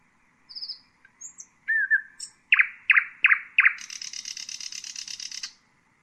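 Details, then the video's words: Common nightingale (Luscinia megarhynchos) song: a high buzzy trill and thin whistles, a lower slurred whistle, and four powerful evenly spaced notes. These end in a long, dense high-pitched rattle of nearly two seconds. "Common nightingale,beautiful birdsinging"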